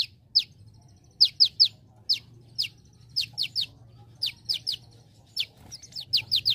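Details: Olive-backed sunbird, known locally as kolibri ninja, in a training recording meant to teach other birds, with celilin song mixed in: sharp high chirps, singly and in quick clusters of two to four, over a low steady hum.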